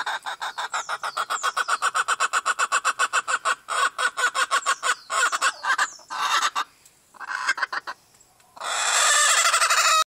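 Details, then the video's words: Several Appenzeller chickens cluck in a fast, steady stream of short pulses, about four a second, with occasional high descending squeaks, then the clucks break into scattered bursts and the recording ends in a loud rush of broadband noise. "The noise our appenzeller chickens make"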